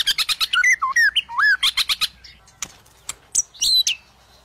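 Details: Song of a white-rumped shama, used to prompt a shama that is sluggish or not singing: fast chattering clicks mixed with varied slurred whistles, dense for two seconds, then scattered sharp chips and a high whistled flourish.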